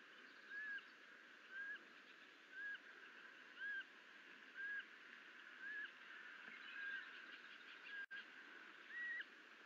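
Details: Osprey at a nest on 30 June 2022, in the morning, after the male dropped off a live duck that the young bird did not know how to handle: a thin whistled note about once a second, each note slightly slurred, over steady background hiss.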